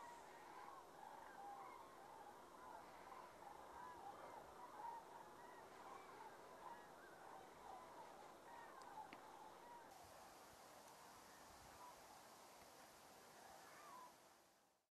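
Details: Resting flock of common cranes in autumn at the Rehdener Geestmoor in the Diepholz moor lowlands, Germany, on 5 October 2016; many overlapping trumpeting and honking calls from a distance form a continuous murmuring chorus.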